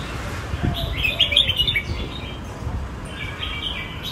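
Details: Red-whiskered bulbul singing Phet and Prachathipat style songs: a lively run of bright, rapid whistled notes, then a quieter warbled phrase, with faint clicks and low background noise.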